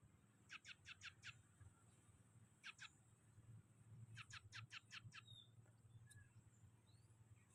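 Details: Scaly-breasted munia singing a song that imitates a weaver: quick bursts of sharp, high, clicky notes in runs of four to six, separated by short pauses, then a thin drawn-out note, over a steady low rumble.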